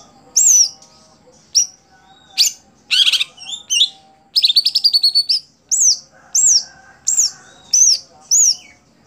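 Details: Caged greater green leafbird, a songbird kept for singing contests, giving loud high-pitched notes: sharp rising-then-falling whistles about once a second, a fast harsh rattled burst mid-way, and buzzy chatters, with a faint low hum behind.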